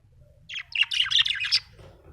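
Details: Happy budgerigar chattering in a fast, continuous warble of squeaky, tumbling notes lasting over a second, bright and scratchy, over a faint low hum.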